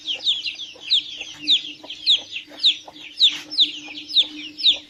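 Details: A group of chicks peeping, high sliding notes crowding over each other in an irregular chatter, with a steady low hum underneath.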